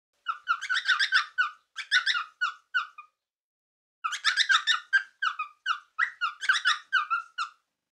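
A cockatiel sings two bursts of quick, chirpy, slightly nasal whistled notes, about a dozen each, separated by a brief pause; nothing else is heard.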